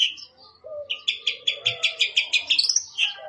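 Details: A long-tailed shrike delivers a brief whistled note, then a steady rapid series of about a dozen repeated chirps ending in a rising whistle, with a soft lower tone beneath.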